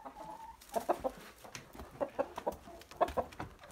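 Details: Chickens in a coop during an ordinary day with a rooster and curious hens, giving soft, low clucks in irregular short bursts against a quiet background.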